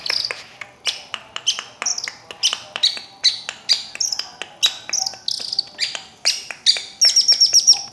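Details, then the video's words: Long-tailed shrike singing: short sharp chirps repeated about two to three times a second, some high whistled notes, ending in a rapid run of thin high notes. "Burung centet/pentet bersuara emas"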